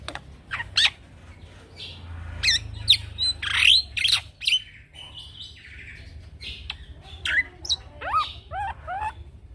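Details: Young male black-winged myna in song for training birds: sharp clicks and loud harsh bursts early, quieter middle, then a series of rising whistled slurs at the end.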